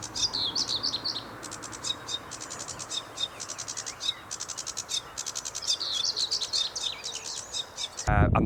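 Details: Sedge Warbler singing almost continuously on a local patch, manic and chattery: rapid grating pulsed rattles alternate with tumbling high warbled phrases for about eight seconds, then a short loud noise at the end.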